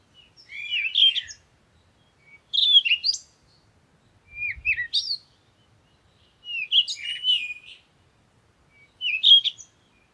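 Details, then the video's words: Birdsong: five short, bright warbling phrases with twittering, rising and falling notes, roughly one every two seconds, separated by silence; a faint low thump near the middle. "Sound of the Birds"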